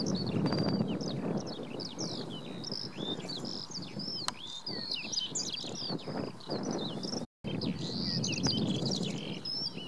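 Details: Eurasian skylarks at Oksywie pour out a continuous, high, chirruping warble of rapid varied trills and twitters, drowning out a whinchat on a post, over a low wind-like rumble.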